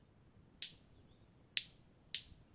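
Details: A male White-collared Manakin (Manacus candei) at his cleared dancing spot in Costa Rica, courting a female, gives three sharp, cracking wing snaps about a second apart over a steady high-pitched insect whine.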